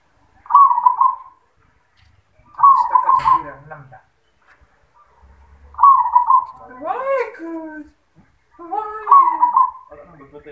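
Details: Zebra dove singing in the 'yoman' voice style: four burbling cooing phrases, each a quick stutter into a rolled coo, spaced about every three seconds, with a man's voice talking between phrases.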